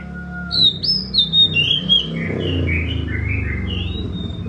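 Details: Oriental magpie-robin singing a string of clear whistled notes, some sliding downward, the phrase running about three seconds over a steady low hum.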